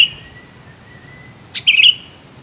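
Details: Sooty-headed bulbul in bushy scrub, a call used to attract birds: one brief liquid, bubbling phrase with a sharp start after a quiet stretch, set against a steady high-pitched hum.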